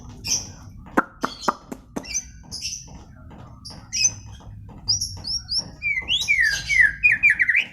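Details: White-rumped shama song opening with several sharp ticks and short high whistles, then building into a rich, fast sequence of varied whistled phrases that rise and fall, growing louder toward the close.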